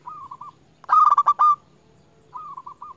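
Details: Zebra dove of a local strain, a champion lure bird used to call and provoke rivals: soft rippling coo, then a loud stuttering burst of pulsed coos ending in a held note, then another soft rolling coo.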